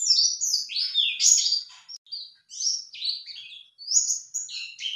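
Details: High, vigorous twittering of a white-eye, used as a lure so a male responds: clustered chirps and slurred whistles in quick phrases, with small gaps between bursts.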